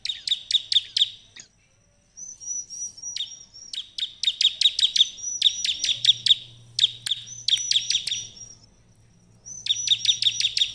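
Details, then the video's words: Ciblek song for luring other prinias to answer: clusters of rapid, sharp chirps alternate with long, thin, wavering high whistles. The pattern repeats several times with short silent gaps. "ciblek lain akan langsung nyaut gacor dengan suara ciblek gacor ini"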